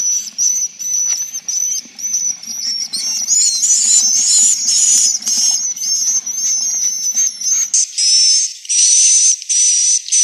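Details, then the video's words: Swiftlet roosting-lure recording, played to draw swiftlets to roost: dense overlapping high, buzzy chirps with a thin steady whistle running through them. Near the end the texture changes to broader hissing bursts. "Suara walet Berkualitas | Terbukti Menginapkan Walet"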